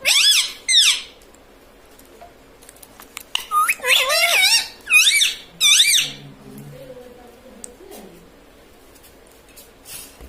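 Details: Talking pet ring-necked parrot indoors, saying words such as mummy and papa; several short shrill squeaky phrases with sweeping pitch, then a lower human voice murmuring and quieter clicks toward the end.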